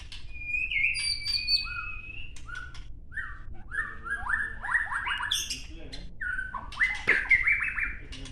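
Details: Caged white-rumped shama singing at a training meet in Gayo Lues, Aceh, a 2019 wild-caught bird after one moult: varied phrases of long level whistles, short slurred notes and rapid stepped chatter, with clicks and background noise.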